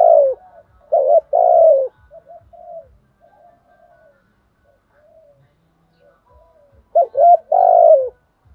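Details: Spotted doves, cock and hen, cooing to call the flock and rouse decoy birds. Loud rough descending coos come at the start and again near the end, separated by a long stretch of faint, scattered soft coos.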